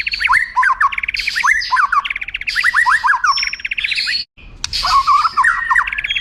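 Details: Tutor song of a white-rumped shama for contest birds, with long highlight phrases: dense runs of quick, downward-flicking notes and chattering trills, a brief silent break, then more rapid flicked notes.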